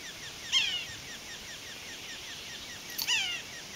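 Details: Male Red-naped Sapsucker on Wishbone trail, Waterton Lakes National Park, Alberta, 9 July 2023 at 9:20 AM, gives two nasal, mewing, downslurred calls about 2.5 seconds apart over faint chatter from other birds.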